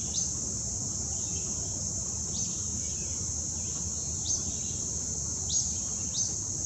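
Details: A juvenile Acadian Flycatcher on Wetmore Valley trail, Cuyahoga Valley National Park, Summit County, Ohio, 26 August 2017, gives five quick, thin, upslurred notes at uneven gaps over a steady high insect drone and low rumble.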